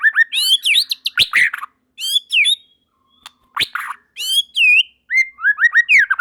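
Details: Murai batu, or white-rumped shama, singing while others join in; bursts of loud slurred whistles and sharp clicks separated by short pauses, with ringing upward sweeps.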